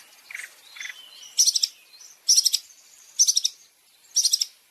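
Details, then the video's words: Long-tailed shrike training song with fill-in variations for caged birds: two soft low chirps, then four evenly spaced bursts of sharp, very high chattering notes, roughly one burst per second. "Masteran Burung Cendet Terbaik 2026 | Full Isian Juara Nonstop"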